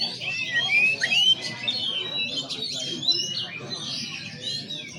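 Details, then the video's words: Male white-rumped shama giving a slow song: rich, varied whistled phrases with slurred, rising and falling sweeps at mid to high pitch, densely packed and flowing with barely a pause over five seconds. "Murai slow !"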